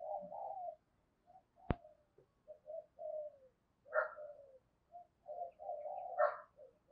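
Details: Caged decoy spotted dove cooing to call in wild doves: soft, hoarse coos in a run with some higher notes, a sharp click partway through, and a faint background hiss.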